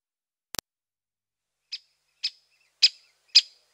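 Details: Great spotted woodpecker giving four sharp, high "kik" notes about half a second apart, rising in loudness, after a brief double click.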